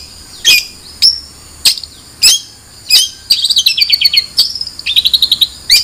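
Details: Long-tailed shrike: several harsh, scratchy chirps about a half-second apart, followed by rapid chattering runs of descending squeaky notes, varied and mimic-like.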